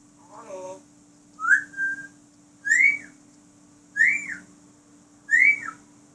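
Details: Captive African grey parrot, whistling. A low warbling note is followed by four clear rising-then-falling whistles, repeated roughly every 1.3 seconds, over a faint steady hum.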